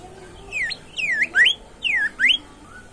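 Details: Five loud whistled slurs from a vigorously singing bimoli, some falling and some rising, spaced roughly every half second, with a faint low whistle trailing at the end.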